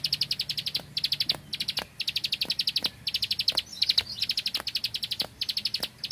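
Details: Bar-winged prinia of the rice fields in machine-gun burst song: repeated short volleys of crisp high ticks, each volley under a second, coming in quick succession, with occasional sharp clicks in a quiet background.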